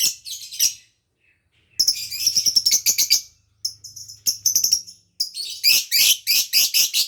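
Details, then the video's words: Lovebird chattering, played to lure escaped birds and quickly stimulate mating in other lovebirds: bursts of harsh, high, rapid scratchy chirps and clicks separated by short silences, growing louder and denser toward the end. "KICAU LOVEBIRD MANTAP.., BUAT PANCINGAN ATAU MANGGIL BIRAHI LOVEBIRD LAIN"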